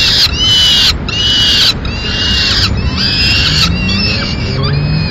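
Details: Peregrine falcons in Madrid, 4 May 2016, the male bringing a swift for the chicks: rasping screams come in roughly one-second blocks, fading toward the end into thinner, shorter squeals.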